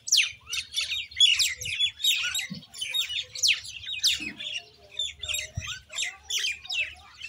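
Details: Common Indian myna: a rapid run of clipped, falling whistles and harsh chips, repeated in choppy bursts about every half second, with a few squawky notes between.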